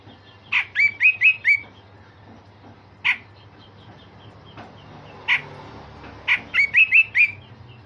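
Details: Song of a grey-cheeked bulbul, meant to train other songbirds, with coarse phrases and sharp bursts: quick runs of four or five bright, slurred whistled notes, separated by single harsh notes, over a quiet low hum.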